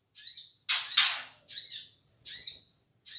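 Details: Male Ashy tailorbird from Sumatra in a loud call used to provoke other birds: a few high, buzzy downslurred notes, then a thin, wavering whistled run.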